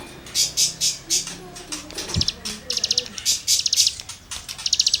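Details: Cigun singing as tutoring material for songbirds: short, high, rasping trill bursts, each a quick run of ticking notes, repeated irregularly, with a low murmur and a brief thump in the background.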